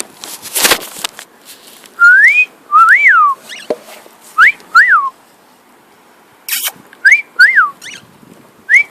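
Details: Pet cockatiel whistling while flying: paired clear whistles that rise, then arch up and down, repeated in groups with pauses of several seconds, with a person's coaxing voice and a loud rustle nearby.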